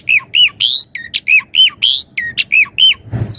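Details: Javan pied starling in full varied song, used as a master song and lure for starlings: loud repeated whistled notes with harsh squawky phrases, quick rhythmic series about every quarter second, ending in a rising whistle.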